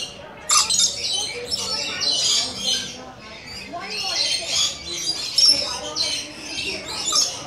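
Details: Visiting rainbow lorikeets chatter in loud, overlapping, scratchy shrieks and squawks, with a sudden harsh outburst followed by waves of noisy screeching.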